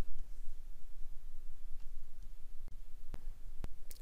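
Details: Low rumbling room noise with a few sharp, isolated clicks and no animal voice.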